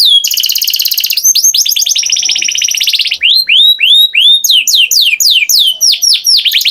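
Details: Canary singing a sustained fast buzzy trill for about three seconds, followed by a steady series of loud swooping whistles, each falling in pitch, roughly four per second.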